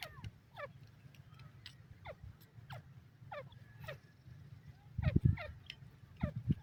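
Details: Dakhni teetar (grey francolin) uttering repeated downward-sweeping notes, roughly two per second, with a steady low hum beneath and a few heavy low knocks near the end.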